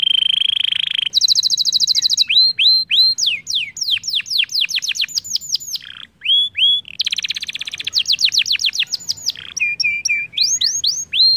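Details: Caged canary lure song used to get other canaries singing, a long varied run of steady whistles, fast buzzy trills and cascades of sharply falling slurred notes, with a brief pause near the middle.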